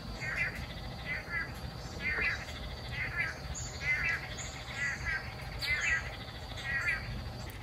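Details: Long-tailed Manakin in Costa Rica in March, mumbling calls made by dancing birds: soft, slurred notes about every second, each a short burst of wavering tones, over a steady low hum.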